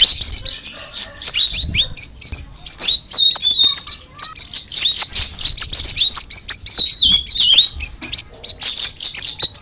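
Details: Sustained high-pitched song of a Sooty-headed bulbul: dense chirping and slurred whistles running nearly unbroken for about ten seconds, with a faint low background hum.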